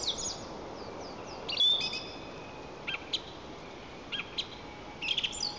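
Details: Song thrush singing on a spring day, 11 April 2024, in Lower Kama National Park, Tatarstan, picked up by a white-tailed eagle nest camera: faint, sharp high notes, short phrases given in pairs, over a steady background hiss.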